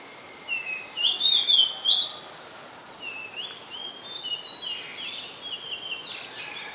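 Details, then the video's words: Oriental magpie-robin singing in Ubon Ratchathani, Thailand, on 2 July 2022. It is a very common resident there. A short varied phrase of clear high whistles and chirps comes first, then a quieter second run of slurred notes after a pause. The background is quiet. "นกกางเขนบ้าน Oriental Magpie Robin (singing)"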